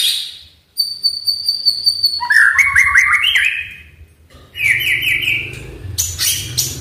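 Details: Oriental magpie-robin singing to coax a quiet bird into song: a long, steady high whistle, then rapid trilled and warbled phrases stepping up and down, pausing before another bright burst of notes.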